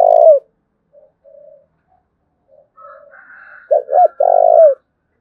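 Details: Spotted dove from Đồng Nai in Vietnam cooing in thúc bổi style: one loud coo opens, faint background coos from other doves follow, and a sharp double note plus long coo closes the phrase.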